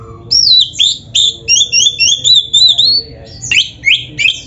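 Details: Loud, varied Oriental magpie-robin (kacer) song played to train kept birds: a run of about ten bright whistled notes, many rising then falling, evenly spaced, followed by sharper upslurred calls.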